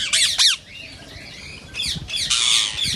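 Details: Two sharp, shrill rose-ringed parakeet squawks open the recording. After a quieter pause, a burst of harsh screeching follows. These calls are said to prompt other parakeets to mate.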